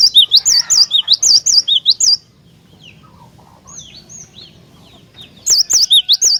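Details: Vigorous cinereous tit song used to make other tits sing: a long run of loud, rapid sweeping whistles, a lull with faint high chirps, then the whistled phrase starting up again.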